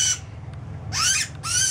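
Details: A Northern Cardinal making a fuss while being banded at the Occoquan Bay National Wildlife Refuge banding station on 9 May 2018 gives three harsh, high, rasping squawks in under two seconds, over a low steady hum.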